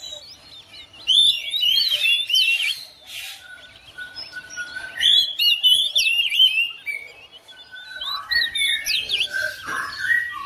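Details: Home-kept oriental magpie-robin responding and singing along: rich, rapidly changing whistles, some sweet and slurred, others lower and mellow, in irregular bursts several times a second.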